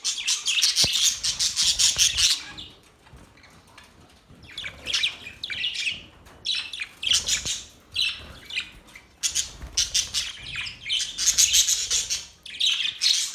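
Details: Australian budgies chirping and chattering: long runs of rapid, grating high twitter broken by a quiet gap, then resuming in choppy repeated bursts that grow denser toward the end.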